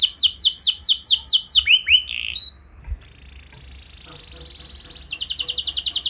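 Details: Canary lure song to set other canaries singing: quick descending whistled sweeps, a few curved notes, a gap with a soft thud, then a rising thin whistle and a fast trill.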